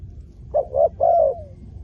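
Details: A spotted dove, used as a ground decoy for wild doves, gives one short mellow phrase: two quick coos and then a longer, sliding, falling note, over a soft low background hum.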